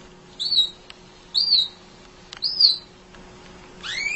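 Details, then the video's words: Munia singing nonstop as training material for other songbirds: three similar thin, high, arched whistles about a second apart, followed by a rising double slurred note. "Kicau Emprit Ngoceh Tak Kenal Lelah Untuk Masteran"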